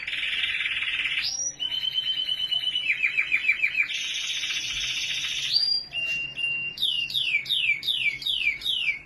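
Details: Canary in Australia singing a continuous song of rolling trills and sustained buzzy tours, shifting pitch between sections, ending with a series of quick descending whistled notes repeated about twice a second.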